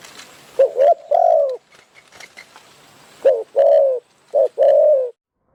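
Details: Spotted Dove cooing at a decoy trapping site in Phrae, Thailand. Deep rounded coo phrases, a brief note leading into a longer one, come in two bursts separated by a noisy pause with faint clicks.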